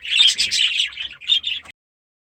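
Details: Young budgerigars in a newly occupied aviary giving a short, bright, warbling run of high chirps that stops abruptly.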